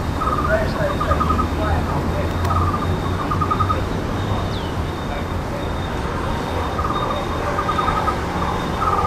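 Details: A Taiwan barbet fledgling that has just left the nest calls to its parents at Niaosong Wetland at 2:29 pm on 17 June 2024, giving short runs of quick, evenly spaced mid-pitched notes every few seconds, over a low traffic rumble.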